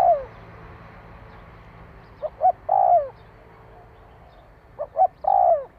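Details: Spotted dove cooing to stimulate a decoy bird: the end of one descending coo, then two complete phrases, each two brief hoots followed by a sustained, downward-bending croo.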